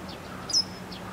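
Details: Japanese wagtail holding a large caterpillar in its bill, giving one sharp, very high 'pii' note, a short downward-sweeping whistle, over a faint background hum.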